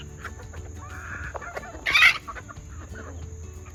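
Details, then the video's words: Second-generation junglefowl hybrid chickens and game hens in a yard at feeding time; soft clucks and a drawn-out mutter lead into one loud harsh squawk, then quieter clucking, with a constant high-pitched whine behind. "Yard birds at feeding time. F2 junglefowl hybrids and game chickens"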